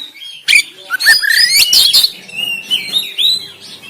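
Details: Oriental magpie-robin in Banten, recorded on an Android phone, harsh 'tembakan' style song for stimulating lazy caged birds to sing and open the tail: sharp broadband snaps followed by rising whistled notes and wavering high phrases.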